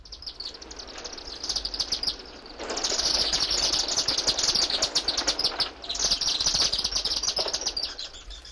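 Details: Chimney swift (Chaetura pelagica), call.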